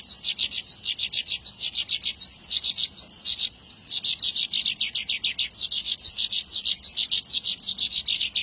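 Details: Horsfield's bush lark, a long drawn-out song used to raise the bird's excitement: dense, continuous run of quick high chirps and trills with rising notes, steady and unbroken throughout.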